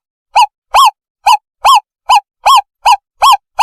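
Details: Lure recording of an owl for catching owls: nine arched, clear notes at an even pace of about two and a half per second against total silence.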